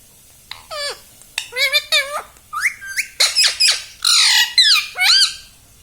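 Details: Talking pet Indian ringneck parakeet indoors giving a rapid run of short harmonic squawks and speech-like syllables, rising and falling, several per second, building to longer drawn-out calls.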